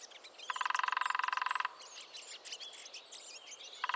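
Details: A quick, steady drum roll of about a second from a lesser spotted woodpecker in the New Forest, followed by busy twittering of other birds and the start of another roll at the end.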